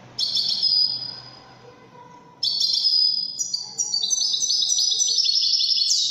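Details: Widani goldfinch singing; a clipped opening phrase, a quiet gap, then a sustained, lively stream of tinkling chirps and metallic trills rising toward the end.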